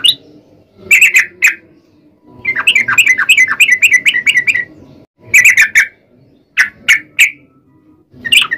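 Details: Trucukan bulbul singing its chatty long 'ropel' run to provoke other bulbuls to sing; scattered sharp chirp clusters and one rapid bubbly burst of quick gurgled notes, with short quiet gaps between.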